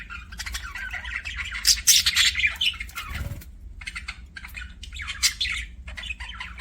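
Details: Chirping budgie sounds: loud, fast, scratchy warbling bursts with shrill squeaks, a short break with a low thump in the middle, then further chattering phrases over a soft background hum.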